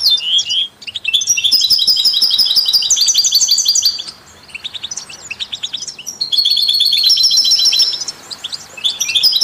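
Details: European goldfinch song, heard alongside canaries and mule hybrids, played to stimulate other songbirds: bright twittering phrases high in pitch, with rapid trills and buzzy notes in two long bursts separated by a short pause.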